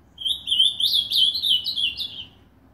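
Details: Pet ultramarine grosbeak singing from a cage hung on a nail at a home in Novo Hamburgo, Brazil: a brisk, high warble of run-together notes lasting roughly two seconds, dropping slightly toward the end.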